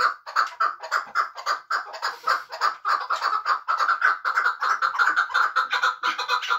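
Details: Chukar partridge of Muminobod kept for hunting, delivering a continuous, rolling series of clucking chuk calls that quicken and run together in the latter half.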